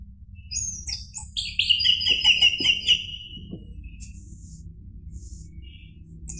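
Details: Orange-headed thrush song for provoking a caged bird to sing: a bright phrase of quickly repeated high notes, followed by fainter scattered chirps and a few soft knocks over low background noise.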